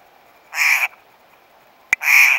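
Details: Steller's jays eating peanuts on a fallen tree at Table Mountain campground, July 21, 2012, recorded on an Oregon Scientific ATC 9K; two loud, harsh, raspy call bursts about a second and a half apart, with a faint click between them.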